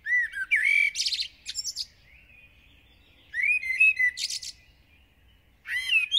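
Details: A village Common blackbird (Turdus merula) singing intensely at dawn gives fluted, melodic phrases, each ending in a thin, high chattering twitter, with short pauses between verses.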